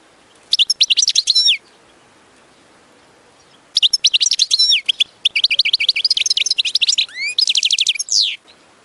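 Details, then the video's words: Singing goldfinch, recorded as training material to teach goldfinches to sing: short bursts of rapid twittering and downward-sliding whistles, a pause of about two seconds, then longer rippling phrases ending in quick trilled notes. "Training the goldfinch fun activities to teach singing"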